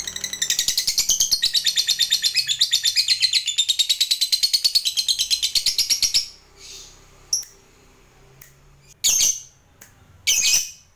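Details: Captive lovebird giving a long ngekek trill meant to spur other lovebirds to sing: about six seconds of rapid shrill pulsed chatter, then it stops and a few separate sharp squeaks follow after pauses, with faint low hum behind.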